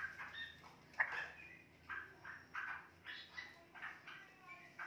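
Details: A 2.5-month-old straw-headed bulbul, now fully independent and starting long, chatty warbling, gives short, rich, warbling bursts about twice a second, fuller phrases mixed with rougher notes, over a quiet background.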